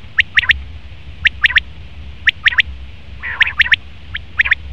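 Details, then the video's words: A male common quail repeats a quick, liquid three-syllable phrase roughly every second, each note sharp and high-pitched, steady and clear above a quiet low-frequency background. "Best Common Quail Male sound/Nar batir ki awaz"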